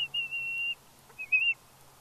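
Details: Female bald eagle fledgling on her fledge day at Big Bear, 31 May 2022, squeeing eagerly as her father delivers a fish: two high, steady whistled squeals, the first long and flat, the second shorter and wavering.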